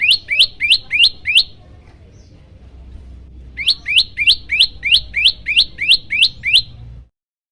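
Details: Yellow-bellied prinia song for stirring up captive birds: two bursts of rapid, evenly spaced, bright rising chips, five then about ten, separated by a short pause, with little background.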